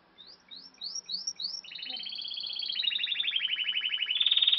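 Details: Timbrado canary singing: four quick upward-sweeping chirps open the phrase, then a long, rapid rolling trill that drifts slightly lower in pitch and swells steadily louder toward the end.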